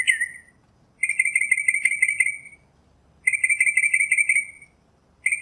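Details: Northern mockingbird singing in nature, phrases of buzzy trilled notes lasting over a second each, separated by short pauses, over a faint low rumble.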